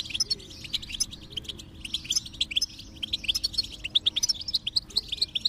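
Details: Twittering goldfinch song used to encourage a quiet goldfinch to sing. Sharp, high chirps come in quick irregular runs, growing denser toward the end, with soft low tones in the background.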